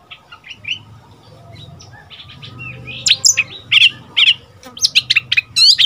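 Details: Young Oriental magpie-robin kept as a decoy, seven months old and in first moult, answering wild birds: quiet soft twitters building into loud, bright whistled and chirped phrases.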